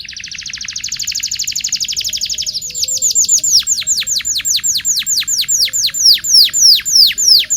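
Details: Local canary singing to teach young canaries: a fast buzzy rattle followed by a long steady run of repeated sharply falling whistled notes, about three per second.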